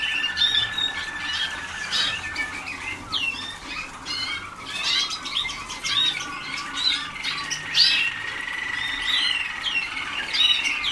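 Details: Waterslager canaries in early song training, young birds with much still to learn: a busy stream of high whistles, trills and chirps from several birds, with a constant background hum.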